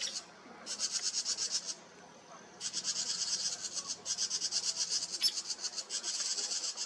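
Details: House wrens in a nearby tree in July 2023 sounding alarms at a red fox sitting close by: harsh, rasping chatter in bursts of about one second, each a fast train of buzzy pulses, with short pauses between bursts.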